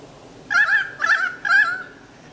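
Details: Pied currawongs trill excitedly around a powerful owl holding prey remains, probably a possum, at Manly Dam National Park near Sydney, Australia: three loud, ringing, wavering calls, each about half a second long and apart.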